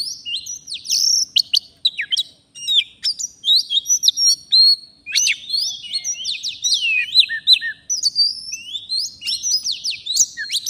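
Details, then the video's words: Wild forest Oriental magpie-robin singing continuously in full voice near a fighter decoy during trapping: dense run of sharp chirps, clicks and warbled whistled phrases with few breaks. "Kacer, begini jadinya kalau tidak di ajak duel fighter || full gacor"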